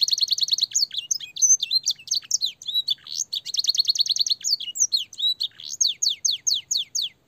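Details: Clear-voiced canary song filled with blackthroat and sanger phrases, played to train young canaries; fast rattling trills of repeated high notes alternate with varied whistles, ending in a slower series of falling whistled notes.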